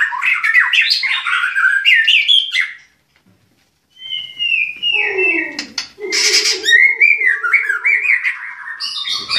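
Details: Captive white-rumped shama at a bird-breeding farm in Klaten, from a champion bloodline, singing rich varied whistled phrases that rise and fall, a second of silence, then lower buzzy notes, a steady harsh rasp and more bright whistles.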